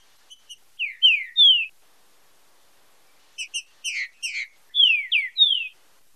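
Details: Green-winged saltator song in marcheado style, used for song training: a few soft chip notes lead into rich descending whistles, then a burst of rapid clipped chips and three more falling slurred whistles.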